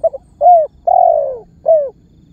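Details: One cooing phrase from a spotted dove, a calling lure meant to set other birds calling: a brief double note, a short rising-falling coo, a long sliding coo and a last falling coo, all low and mellow.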